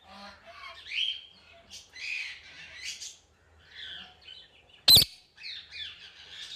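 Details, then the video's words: Indian ringneck parakeet giving a run of scratchy squawks and high chirping notes, uneven in rhythm, with one sharp broadband click midway. "Super Cute Ringneck Parrot Sounds"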